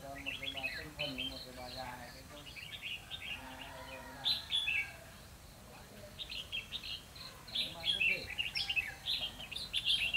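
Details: Red-whiskered bulbul decoy birds give a fighting song during a trapping session on 12 November 2016; bright, chattering whistled phrases with quick up-and-down notes come in bursts, over steady tonal hum and background noise.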